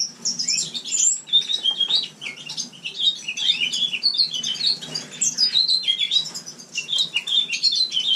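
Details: Winter song of a house finch kept in a common room: continuous, jumbled warbling of fast, bright, slurred notes and short twitters, barely pausing, over faint low background hum.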